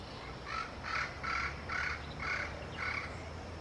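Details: Yellow-fronted parrot communicating with its peers, repeating coarse, buzzy squawks about twice a second, six in a row, over a low background drone.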